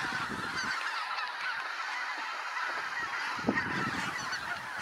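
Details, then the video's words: Geese in their hundreds arriving over the trees onto a meadow; a steady wash of distant overlapping honks from the flock, fairly even in loudness throughout with one sharper call near three and a half seconds. "Hunderte Gänse landen auf der Weide"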